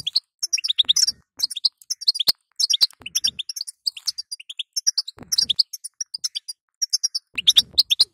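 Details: Bitbita and setseta calls of a female European goldfinch, aimed at encouraging a weak male; dense bursts of high twittering notes, some sliding downward, repeated almost continuously with scattered sharp clicks and faint thuds.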